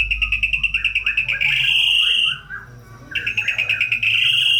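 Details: White-rumped shama in vigorous song full of fill-in phrases, used to spur lazy, listless shamas: a rapid, even rattling trill held at one pitch, breaking off briefly, then resuming just as fast.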